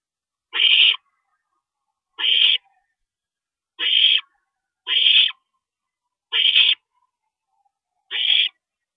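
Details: Night nest scene on April 22, 2012, a parent owl stopping over; six raspy hissing screeches, roughly one every one to two seconds, in an otherwise silent setting.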